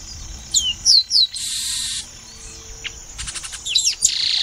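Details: Chestnut-capped blackbird, typical of Brazilian marshes and wetlands, whose whistles recall the pássaro-preto: three sharp, high descending whistles, then hissing bursts, a short buzzy rattle, and more slurred whistles near the end.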